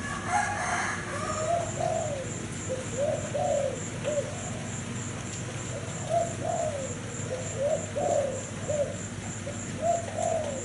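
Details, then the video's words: Thai zebra dove of cream colour variety singing: soft, low, bubbly cooing notes in short rolling phrases, repeated every one to two seconds throughout, with a steady high thin whine in the background. "Cu gáy thái bông kem"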